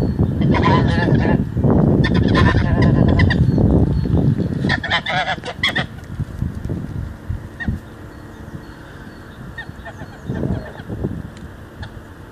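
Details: Morning geese honk loudly in rapid overlapping bursts for about six seconds, then only a few scattered calls break a quieter low background rumble.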